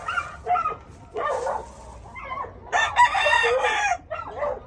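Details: Rooster crowing loudly and hoarsely, with short clucking notes before a long, strained, harmonic-rich crow that ends in a brief trailing note.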